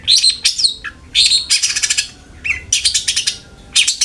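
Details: Long-tailed shrike song used as a lure to make a caged bird sing more, a dense run of harsh chattering and squeaky notes in bursts, with short twangy whistled slurs between.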